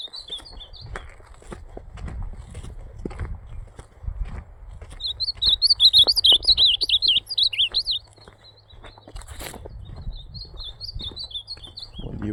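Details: Ultramarine grosbeak singing in the campeada style on a Sunday morning, 14 December 2025: a few high whistled notes, then a fast warbled phrase of rising and falling slurred notes around the middle, with soft background rumble.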